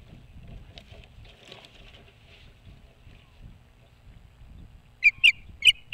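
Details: Nesting osprey on a boat house roof near Hog Island, Maine: after several quiet seconds of faint background, three loud, sharp, high-pitched chirps ring out in close succession.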